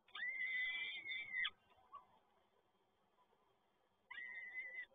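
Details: Peregrine falcon at the PGE Toruń nest site, Poland, 7 May 2022, as the male delivers another prey item: a long, drawn harmonic wailing call lasting over a second, followed by a quiet pause and a second similar wail.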